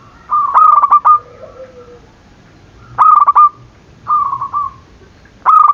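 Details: Zebra dove cooing to stir rivals into calling; loud stuttering phrases of quick clipped notes with rolled endings, one softer smooth coo between them, repeated about every two to three seconds.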